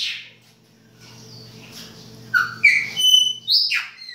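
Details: Winter song of a Chopi blackbird in the baianinho style: after a quiet stretch of hum, short clear whistles and sharp chirps arrive in quick bursts, some slurring downward.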